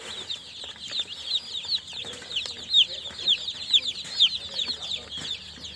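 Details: Newly hatched baby chicks chirping together, high rapid downslurred peeps repeated roughly twice a second by several birds, with light shuffling sounds beneath.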